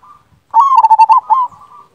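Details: Strong-voiced local zebra dove singing one loud, rapid, stuttering phrase of bubbling coo notes, with a softer drawn-out coo after it.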